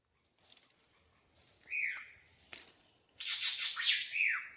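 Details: Wild drongo singing in natural habitat: a slurred downward whistle, a short gap, then a loud burst of harsh, rapid buzzy notes ending in another falling whistle.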